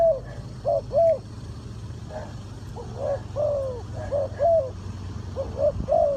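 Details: Spotted dove from Ninh Thuận, in a bird-trapping context, cooing in scattered soft arched notes, with a softer overlapping coo and steady low hum.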